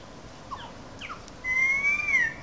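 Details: Currawong calling out in Sydney Park, St Peters, Sydney, in a small gully above the wetlands: a few soft falling notes, then one clear, sustained whistle that rises gently and dips at the end.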